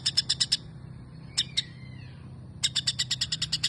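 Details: White-rumped shama giving imitated sparrow phrases, isian gereja: a few sharp chips, a pause with a thin descending whistle, then a renewed quick series of high chirps.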